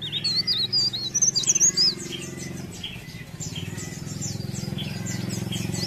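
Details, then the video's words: A leaf warbler gives a short spell of high, wavering whistled notes. A loud, steady low hum fills the rest of the recording, with faint high notes continuing beneath it. "Cikrak daun Gacor"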